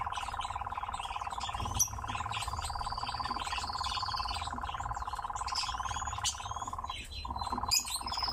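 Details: Captive nightjar churring during its dance: a long rattling pulsed trill breaks once near the end, with high drawn-out whistles and chirps of other birds above.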